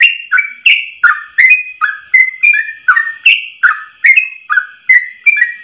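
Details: Continuous fast 'ropel' song of a Yellow-vented bulbul in one long breath, made for tutoring. Bright warbled whistles swoop between two pitches in steady quick succession, about two and a half each second.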